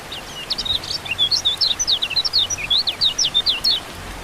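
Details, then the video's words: Rain-therapy recording of kecial kuning (white-eye) to set silent birds singing: a bright, rapid string of high chirps and short slurred whistles, evenly spaced, over a quiet low background hum. "Terapi Hujan Kecial Kuning Buat Burung Yang Macet Jadi Bunyi Gacor Joss"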